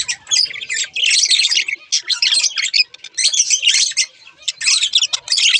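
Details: A budgerigar pair in captivity chatters in loud scratchy bursts of quick high chirps and squawky twitters, with brief gaps between phrases.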